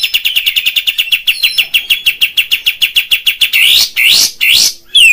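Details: Kapas tembak bulbul, Padang type, played to stir fighting temper in caged birds: a long fast trill of evenly spaced notes, then three harsh rising bursts and a closing falling whistle.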